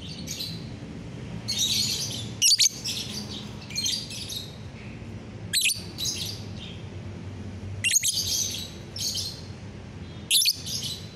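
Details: Lovebird singing on a bright morning, recorded 30 November 2021; harsh, buzzy high chirps in bursts of about half a second, with sharper clipped notes near two and a half, five and a half, eight and ten seconds, over low background hum.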